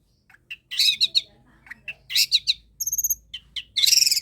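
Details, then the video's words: Long-tailed shrike song used as masteran training audio and to provoke lazy shrikes into singing: bursts of sharp, high chirps and scratchy notes, with rapid stuttered series and two thin whistled tones near the middle. "cendet pastol gacorr || sangat cocok buat pancingan dan masteran cendet malas bunyi"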